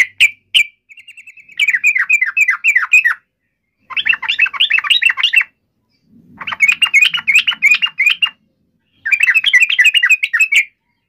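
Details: Yellow-vented bulbul giving an agitated fighting call, known as cuk emosi ngalas tarung, used to make another bulbul answer at once; bursts of bubbly, rapid chattering notes, after a short flat trill, in four phrases separated by brief pauses.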